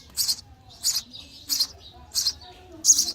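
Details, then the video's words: Baby sparrows chirping for food in the nest as they are fed, giving five raspy high chirps spaced about two-thirds of a second apart. "Baby sparrow chirping sound for food"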